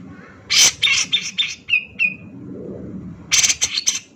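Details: Grey-cheeked Bulbul male in fired-up lure song: harsh buzzy bursts, two clear downslurred whistles, then more rasping chatter, over a faint low background rumble.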